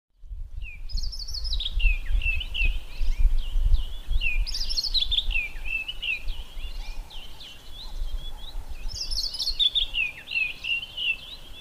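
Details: White-browed scrub robin singing from inside a bush, its highly repetitive song of varied whistled phrases sliding around a mid-high pitch, repeated in bursts with short pauses; low rumbling background noise throughout.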